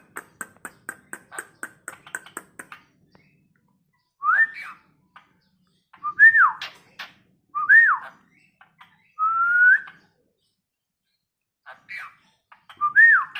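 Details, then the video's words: Tame Asian pied starling able to talk, kept indoors, starting with dry clicking ticks, then giving separate clear whistled slurs, some rising, one long flat whistle, spaced a few seconds apart. "Burung jalak bisa ngomong,jinak dan gacor"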